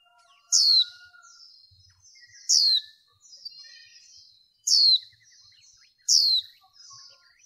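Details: Female white-eye calling to stimulate males during bird training: four loud, thin, high notes that slide steeply downward, spaced about two seconds apart, with soft faint twittering in the gaps.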